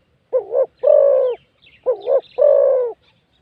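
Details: Wild spotted dove with a big voice, cooing in response to a decoy bird during a decoying session. Two deep, mellow cooing phrases: each a short wavering double note followed by a longer, steady drawn-out coo, repeated about a second apart.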